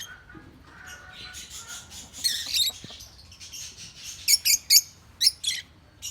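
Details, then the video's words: Lutino African lovebirds giving soft scratchy chatter that builds into loud, sharp squawking chirps in short clusters near the end. "African Love Birds Lutino"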